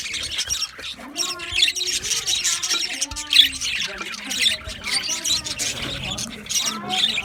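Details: Aviary flock of budgies chattering nonstop, mixing harsh high squawks with short warbled whistles that bend up and down, several birds calling over one another throughout.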